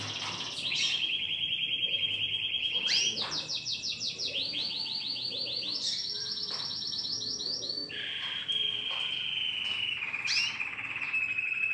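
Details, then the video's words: Caged domestic canary being trained to sing: a series of fast rolling trills, each tour a string of quick repeated notes at a different pitch, some smooth whistles, some sweeping. "COMO TREINAR O SEU CANÁRIO!!! ELE VAI CANTAR LINDO EM POUCOS DIAS!!!"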